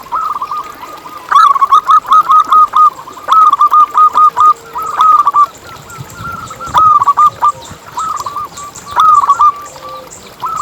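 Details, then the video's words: Singing local zebra dove, recorded as a lure to set other zebra doves singing: loud phrases of rapid, evenly spaced cooing notes, repeated in groups with brief gaps throughout. "Lokal Gacor Suara Paling ISTIMEWAcUntuk Pancingan Burung Perkutut Agar BunyiTerus"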